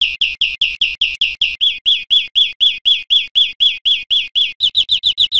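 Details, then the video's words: European greenfinch song: three runs of fast repeated chirping notes, each slightly different in tone and speeding up toward the end, clear and unaccompanied. "Canto Verderon"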